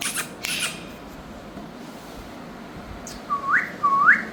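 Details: Indian ringneck parakeet, one of a pair of pet parrots, giving two clear whistled notes that sweep upward, close together near the end, after brief harsh squawk-like bursts at the start in a small indoor space.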